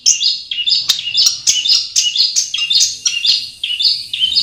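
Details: Long-tailed shrike in its natural habitat, giving a steady series of short, high, buzzy-whistled phrases repeated about twice each second, each phrase dipping and then rising.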